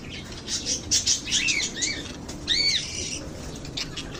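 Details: Lovebirds chirping: several arched, rising-falling squeaky notes between 0.9 and 3 seconds, with a faint flutter of wings.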